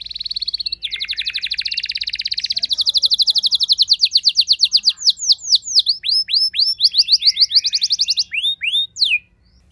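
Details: Domestic canary answering a rival singer with a long, steady buzzing roll that breaks into a series of quick, falling whistled sweeps.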